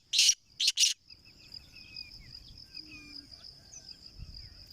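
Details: Black francolin (kala teetar) giving three loud, harsh, rasping notes packed into the first second, then falling silent while a steady high insect trill and a low rumbling background continue.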